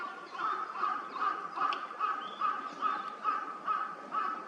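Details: Male and female gadwall, wintering ducks at Junsainoike Ryokuchi park pond in Chiba, Japan, in November 2024, give short, nasal, reedy calls repeated about twice a second in a steady series, with a faint hiss behind.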